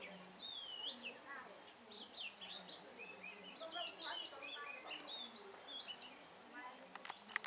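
Oriental magpie-robin singing a rich, varied run of clear whistles, slurred notes and quick chattering phrases, with a faint low hum and distant voices beneath.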